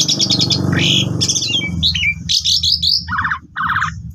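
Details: Asian pied starling singing as a lure for training, mixing buzzy chatter, short whistled slurs and stuttering trills, with a steady low rumbling hum beneath during the first half.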